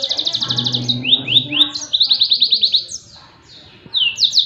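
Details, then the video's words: Rapid high trilled bursts from a yellow-fronted canary in tembakan style, for songbird training, then slurred downward notes and another quick repeated series, a short gap, and a fresh phrase starting at the end. "SUARA TEMBAKAN BURUNG MOZAMBIK || COCOK BUAT MASTERAN"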